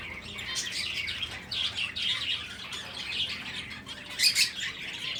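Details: Breeding finches chatter in a continuous wash of high, overlapping tweets, with one louder sharp call near the end.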